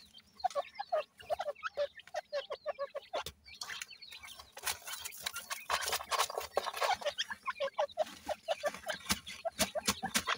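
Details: Grey francolin chicks giving rapid runs of short, soft peeping notes, many overlapping, with bursts of sharp clicking and rustling in the middle section.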